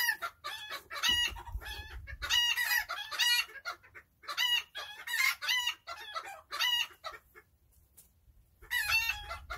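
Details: Serama chickens relaxing and enjoying their day, giving bursts of high, rapid, squeaky clucking and chattering calls in groups of several notes, with short quiet gaps between bursts and low background rumble.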